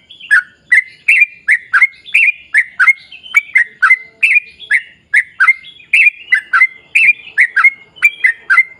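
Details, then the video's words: Yellow-vented bulbul in sustained 'gacor' song intended to trigger other bulbuls to sing: a fast, continuous series of gurgling, up-and-down chirps, closely spaced and even in loudness throughout. "trucukan gacor ROPEL PANJANG buat pancingan trucukan agar bunyi"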